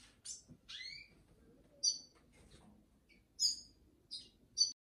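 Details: Red siskin giving scattered high, sharp chirps and a few downslurred whistled notes, spaced irregularly with short pauses, over a faint low background hum.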